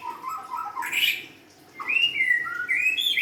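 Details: Young wild-caught White-rumped shama giving low fluty notes, a brief high burst, then a clear whistled phrase that climbs and wavers with bright trills.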